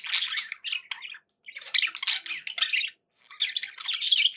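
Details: Pet budgerigars chattering: dense, scratchy warbling in long bursts of squawks and chirps, broken by two short silences, loud and continuous.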